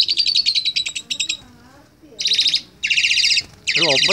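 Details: Asian pied starling youngster learning to chatter, giving long harsh rattling phrases broken by short pauses, with soft wavering warbled notes between bursts and a final rattle over descending wavy tones.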